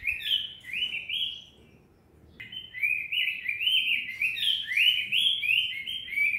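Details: Cinnamon tanager singing a great deal, giving rapid rolling phrases of sweet, slurred whistles that rise and fall, then a half-second hush before the same lively warbling resumes and runs on to the end.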